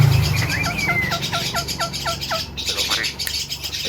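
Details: Javan myna, a mimic said to copy coughing, laughing and a guitar, makes a steady series of short, plucked-sounding falling notes about six per second over a noisy, humming background.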